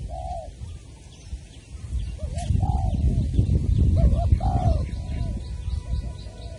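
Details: Spotted dove (cu gáy) at Long Đức, Trà Vinh, on 23 January 2020, heard during decoy trapping: a few scattered mellow coos, partly masked by heavy low-frequency rumble and handling noise.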